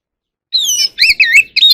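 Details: Short phrase from a white-rumped shama calling the flock, sung in a wild forest voice: a smooth descending whistle, then paired warbled notes that dip and rise, ending in a quick bright chirp.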